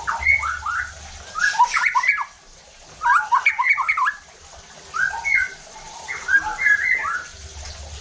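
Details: White-rumped shama lure song to raise other shamas' emotion: dense bursts of tumbling whistled notes, each burst about a second long, separated by short quiet gaps, with faint low rumble underneath.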